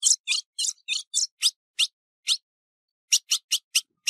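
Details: Ultramarine grosbeak female in breeding condition, recorded 15 June 2019, gives a quick burst of buzzy chattering notes, then slower single sharp chips about every half second after a short pause. Clean recording with nothing else audible.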